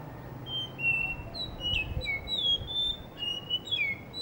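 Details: Blue whistling thrush singing happily in Hunza near a cafe; a continuous sequence of clear high whistles, sliding down and up, varied in pitch and closely spaced, over a soft low background.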